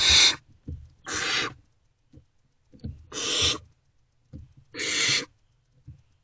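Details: Great horned owlets, not yet fed, inside a nest box early on 3 March 2024 reacting to an adult's return: four coarse hissing screeches about every one and a half seconds, with soft clicks and taps between.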